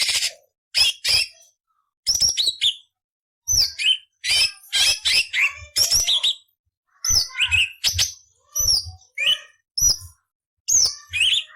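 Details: Cucak cungkok training song for other cage songbirds, full of coarse rasping variations: quick clusters of scratchy chirps and bright falling whistles repeated every second or so, with brief pauses between phrases.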